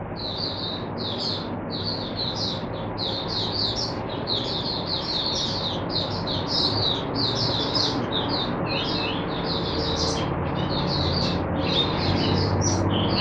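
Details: Oriental white-eye in captivity, kept as a teacher bird for other white-eyes, singing on a Sunday, 22 January 2022: a long, rapid, unbroken run of high chirping notes, about four per second, over low room hum.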